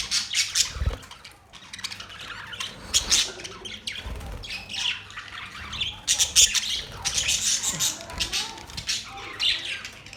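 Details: Many budgies chatter at once, a thick mix of scratchy high squawks and quick twittering chirps, with brief lulls between louder surges of overlapping calls.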